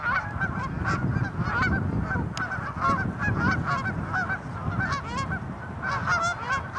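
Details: Tundra swans on March 16, 2013 at Ninth Line, Mississauga, Ontario, Canada, among many geese and ducks: a dense chorus of overlapping honking, bugling calls with steady low wind rumble beneath.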